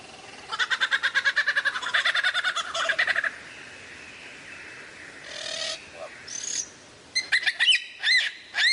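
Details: Lyrebird with varied sounds: a fast, even rattle of buzzy repeated notes for about three seconds, a pause with faint tones, then a burst of sharp bright chirps.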